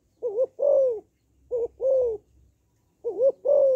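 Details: Female spotted dove coos to excite males, each phrase a short two-lobed wobble and then a drawn-out descending hoot, repeated three times in quick succession with near silence between.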